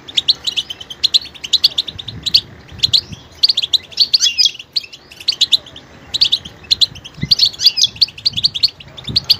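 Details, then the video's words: A goldfinch sings a continuous, chattering song of sharp high chirps and tinkling notes in quick runs, with a soft low background hum. "motivational ringtones that will take you on a journey with goldfinch"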